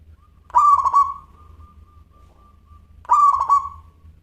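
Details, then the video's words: Local zebra dove song: two phrases about two and a half seconds apart, each a rolling stuttered coo leading into a long level trailing note, over a low steady hum. "Perkutut Lokal Gacor Suara Kristal"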